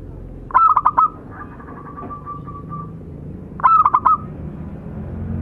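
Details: Local zebra doves, male and female tutor birds, singing two short bursts of four quick pulsed coos about three seconds apart, with a faint thin trailing tone and a constant low background rumble.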